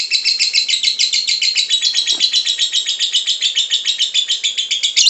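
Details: Ngekek song of a lovebird, intended to coax other lovebirds into singing: a dense, loud, buzzy trill of rapid high pulses held steadily for five seconds, with one soft low tap in the middle.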